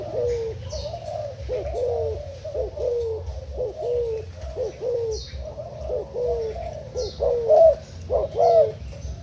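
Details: Spotted dove decoy bird from Thailand coos in dense overlapping series, hooted two-part phrases tumbling roughly once a second, louder toward the end, with faint higher chirps above.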